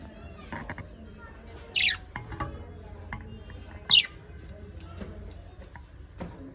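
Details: Budgerigars, described as happy parakeets, give two short bright chirps that sweep downward, spaced about two seconds apart, over faint background rustling and low noise.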